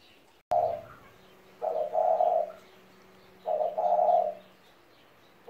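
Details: A spotted dove, 17 years old, repeats its cooing phrase twice about two seconds apart after a sharp click. Each phrase is a low, mellow coo followed by a longer resonant croon, with a faint hum underneath.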